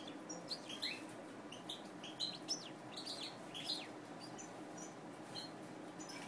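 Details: European goldfinch, a captive-bred colour mutation: scattered short, high chirps and quick twittering notes, some sliding downward, spread unevenly across the stretch over a steady low background hum, with faint flutters between notes.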